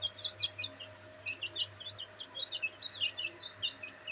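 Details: Black bantam chicks basking in sunlight keep up a continuous chorus of thin, high, slightly downslurred peeps, many per second, with a low steady hum behind.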